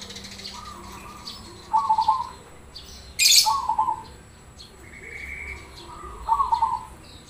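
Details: Black cemani Krosing zebra dove singing to get others to answer: three trilled coo phrases mixed with higher chirps from other birds and a sharp loud click.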